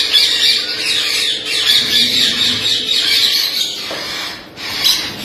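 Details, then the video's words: Rainbow lorikeet, labelled a blue-headed rainbow lorikeet, giving harsh, shrill screeches and chattering squawks in a near-continuous stream, with a steady low hum behind. "Blue Headed Rainbow Lorikeet Parrot"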